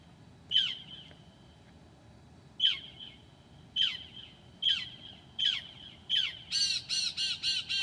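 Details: Northern mockingbird singing at 2 a.m. on a July night, mimicking other birds: sharp down-slurred notes repeated about once a second, then a quick run of rasping, harmonic chattering notes at the end.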